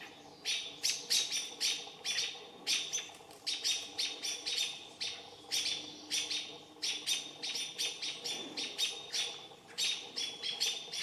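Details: Several American robins attacking a barred owl to drive it away: high, sharp chips delivered in quick clustered bursts about every half second, persistent and agitated, with a low steady background rumble.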